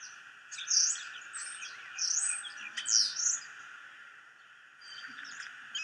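A starling sends out bursts of squeaky, high whistles and chirps, a few in quick succession, then pauses, over a steady background hum.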